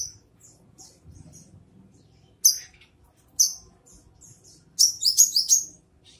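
Brown-throated sunbird giving sharp, very high chips, two single notes a second apart, then a quick twittering burst of five or six notes; faint low rumble behind.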